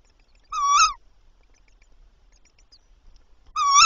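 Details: Tawny owl at a nest with three chicks at night, as the male delivers a mouse. Two separate harmonic calls, each about half a second long, sit at a mid pitch with a slight rise and a tonal, slightly nasal quality. Near-silence fills the gap between them.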